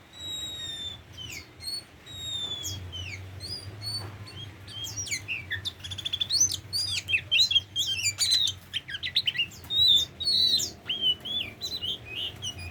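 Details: Tame Oriental magpie-robin pouring out a long, rich song of whistles, trills, sharp chips and sliding notes, growing louder and denser toward the end, with a low hum beneath.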